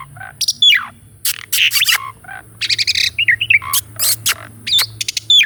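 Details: Asian pied starling song recorded for training a caged starling that has stopped singing, full of rolling and pumping phrases: harsh broadband bursts mixed with clear whistles sliding down, some rising, delivered in rapid varied bursts against a steady low hum.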